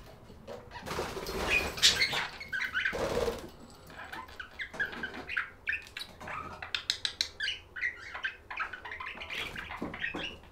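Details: Budgerigar chatter: a burst of broadband rustling noise near the start, then quick high chirps and clicky warbles in uneven runs, some notes repeated rapidly.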